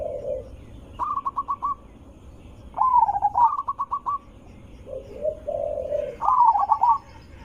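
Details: Zebra dove, loud sweet-toned lure call for drawing other zebra doves into answering: low soft coos alternating with crisp stuttering runs of evenly spaced notes, three phrases in all.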